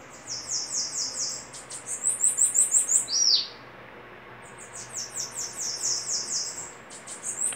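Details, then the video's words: Bananaquit song duel: rapid trains of high, sibilant upslurred notes, one voice overlapping another, with a brief arching whistle and a short lull midway before the runs resume. "Duelo de sibite cantando"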